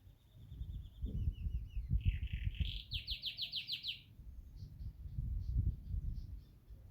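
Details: Yorkshire canary, a caged pet bird, singing: a run of whistled notes, then a buzzy phrase, then a fast series of about seven rapid repeated notes, with softer notes trailing off and low background rumble.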